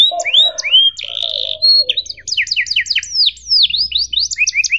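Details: Canary song for tutoring young canaries: upward-swept whistles and a wavering drawn-out note open, followed by a lively rhythmic run of paired chirps and sweeping slurs.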